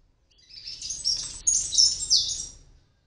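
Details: Palm tanager fledglings on their first flights, hatched in an oregano plant on a ninth-floor apartment in Medellín, Colombia: a burst of thin, high twittering chirps, rapid and uneven, swelling in the middle and fading after about two seconds.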